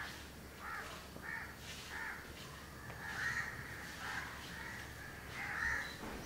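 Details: House crow pair grooming each other in Candolim, Goa, December 2010; soft harsh caws repeat irregularly through the clip, fairly distant and low in level, over a steady background hum.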